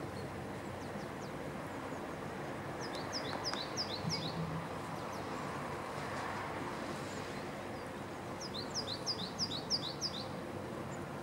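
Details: Male great tit recorded in Zagreb, Croatia, in January and February 2015. Two bursts of quick repeated two-note high phrases, the first around the third second and the second near the ninth, over a low steady background hum.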